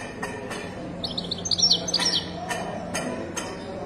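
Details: Moroccan goldfinch in widani-style song: a brief cluster of high, liquid twitters and sliding notes in the middle. Sharp clicking taps recur through the recording, with a low steady hum beneath.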